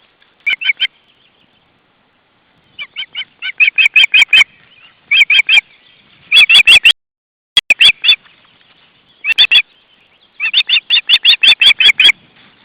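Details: Ospreys at their nest, family life in June 2012: repeated runs of loud, piercing chirps in quick succession, some runs short and some long, separated by silent gaps.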